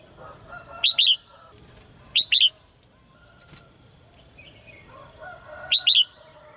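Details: Red-whiskered bulbul kept in a cage, its song meant to push males into strong singing: short paired high whistled notes repeated three times at uneven intervals over faint background noise.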